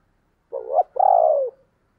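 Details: Spotted dove, 2022 recording of the 'thúc' and 'gáy gọi' calls: one clean two-part coo, a short rising note then a sustained, soft, gently falling note lasting about half a second.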